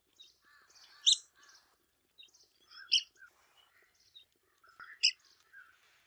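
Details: ['Social, cooperative red-cockaded woodpecker in southeastern United States longleaf pine forest: three separated sharp squeaky notes about two seconds apart, amid quieter, lower chattering notes.']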